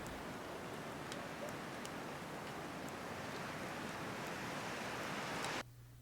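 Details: Steady broadband rushing noise like wind or surf, with faint clicks, cutting to near quiet at the very end.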